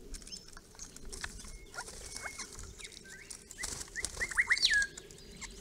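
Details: A group of grey-crowned babblers, a second group forming on the property's east side and visiting a pond built for them in 2017, gives squeaky, rising chirps and a few thin whistles, mostly in a quick burst near the end, over steady rustling.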